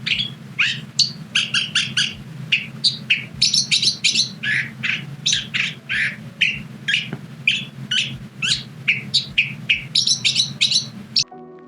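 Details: A California Thrasher in California sings a long, varied run of loud whistled and chattering phrases, one or two each second, over a faint low hum; it ends with a brief tonal sound.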